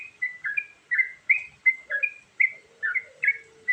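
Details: Lure song of a Sooty-headed bulbul with varied phrasing. Short gurgling two-part notes repeat roughly three times a second, with a soft, low, drawn-out whistle in the background toward the end.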